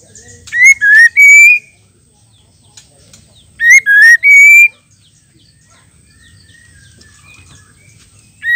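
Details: Female white-rumped shama call used to stir males to sing: two loud three-note phrases of strained, rising whistles about three seconds apart, then a long quiet gap with faint chirps and a new phrase starting at the end.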